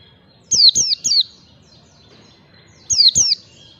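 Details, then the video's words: White-eye in 'ngalas' style, recorded as a training lure: three crisp descending whistled notes in quick succession, a pause of nearly two seconds, then two more matching notes, over quiet background. "pancingan pleci belajar ngalas"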